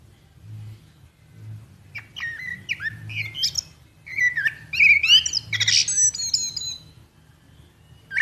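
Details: Common blackbird, Turdus merula, giving varied fluty whistled phrases with bright chirps, quiet at first then busier and louder from about four seconds, over a steady low hum.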